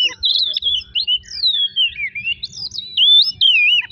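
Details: Oriental magpie-robin song used to provoke other birds: clear, sweet whistled phrases that glide and waver, with drawn-out slurred notes rising and falling over a faint low rumble.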